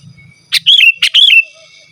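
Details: Energetic natural sooty-headed bulbul song, without mimicked notes, meant to call wild birds and tutor captive ones: a sharp click then a fluty, bubbling whistle, given twice in quick succession, with a faint steady tone behind.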